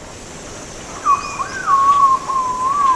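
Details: Philippine Green-Pigeon singing: a clear whistled phrase that rises, dips and rises again, then holds a long, slightly wavering level tone, over a quiet background.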